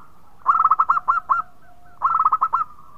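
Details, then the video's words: Melodious song of a local zebra dove in full voice: two rapid bursts of short, clipped coos, the first longer with notes trailing off, a faint steady coo in the background. "Perkutut Lokal Gacor Suara Merdu bikin yg lain bunyi"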